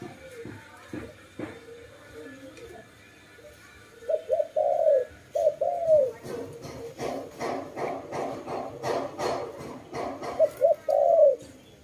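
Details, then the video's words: Dove cooing in low, rolling phrases over a background of rapid tapping and rustling, with a quieter stretch before the coos begin. "Lovely dove/ lovey sounds"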